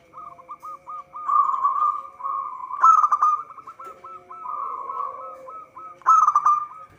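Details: Local zebra dove (perkutut) in lively song, recorded for use as a trapping lure: runs of short hooked coo notes that build into rolling, purring trills, with bright bursts near three and six seconds over a faint steady background whine.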